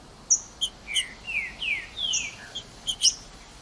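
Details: Green-winged saltator, a calm 'cold' bird singing in the woods, played to excite captive birds kept for song tournaments; a series of slurred descending whistles mixed with sharp, very high chips, about ten notes in under four seconds.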